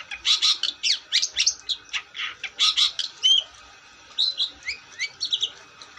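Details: Long-tailed shrike singing energetically: quick sequences of varied sharp chirps, slurred whistles and scratchy notes in clusters, a brief pause near four seconds, then further whistled and rising notes.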